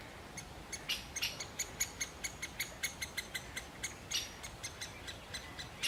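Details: A male great spotted woodpecker calling while feeding a chick gives sharp, high, clipped calls about three or four a second, with two brief harsher bursts among them.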